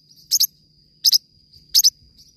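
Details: Three crisp paired chirps from a Forpus parrotlet, each a fast high 'chit-chit', separated by pauses of about three quarters of a second, with a thin steady whine underneath.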